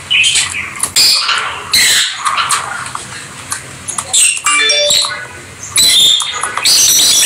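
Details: Pet peach-faced or rosy-faced lovebirds playing together; repeated bursts of harsh, high-pitched chattering and squeaks with brief pure whistled notes, loud bursts separated by quieter gaps.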